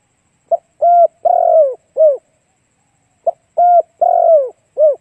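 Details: Spotted dove cooing played to attract other doves: two identical phrases, each a quick introductory note then three rounded coos, the longest one dropping in pitch, separated by a short pause.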